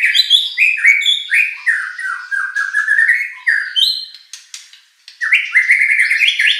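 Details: Varied White-rumped shama song for provoking rival competition birds: quick descending series of slurred whistles, scratchy clicks in the middle, then rising whistled notes climbing step by step.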